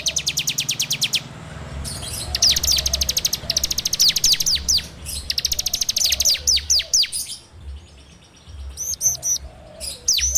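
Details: Rapid ngebren-style song of a bar-winged prinia (ciblek), recorded on Android as a lure for training birds: fast ticking trills broken by sharp downward-sweeping chips, then a quieter pause and a few high squeaky notes.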